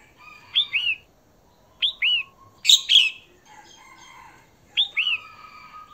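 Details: Female red-whiskered bulbul calling to attract a male, with spaced short phrases of paired arched whistles and one harsh burst over faint steady tonal background notes.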